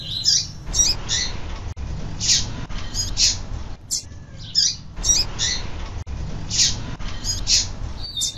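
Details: A female double-collared seedeater calls over and over to stir males into song: sharp, high, brief chips in small groups with gaps, a steady low rumbling hum beneath.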